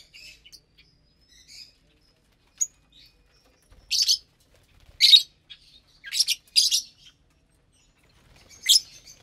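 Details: Lovebirds at morning feeding time with vegetables and seeds; sparse, isolated sharp squawks and shrill chirps, separated by quiet gaps of a second or more.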